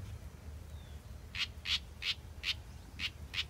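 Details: Young house wren, a big short-tailed chick hatched in a backyard, giving a series of harsh, scratchy notes roughly every half second after a quiet start, with steady low rumble behind.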